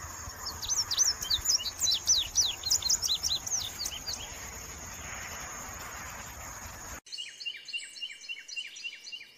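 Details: Indigo bunting singing: quick series of high, sharp chirped notes, some in pairs, repeated rapidly for about seven seconds over steady hiss and insect drone, then a cleaner stretch of clipped, buzzy notes.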